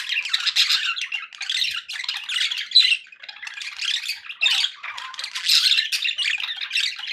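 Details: Cheerful budgerigars kept as pets, rapid scratchy warbling and shrill squawks in uneven bursts, the loudest chirp near three seconds, calls overlapping indoors.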